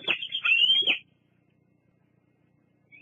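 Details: Young bald eagle squeeing at a nest at Fraser Point in August: a single high, thin, wavering squeal lasting about a second, followed by near silence and a faint rising note at the end.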